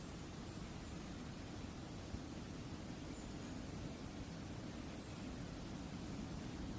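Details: Only a quiet, even hiss and low outdoor rumble are heard, without any animal sound.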